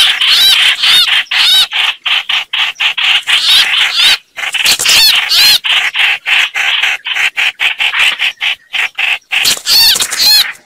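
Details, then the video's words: Harsh chattering of the chao chảo bird, a sound used for trapping birds, in choppy bursts broken by short silences, with wavering high whistles near the start and end. "Tiếng Chim chao chảo"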